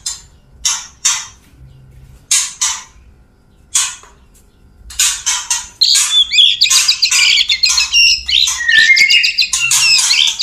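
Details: White-rumped shama, a male wooing a female before mating: sharp high clicks and chattering notes at first, building into a dense, rapid mix of squeaky whistles and buzzy phrases.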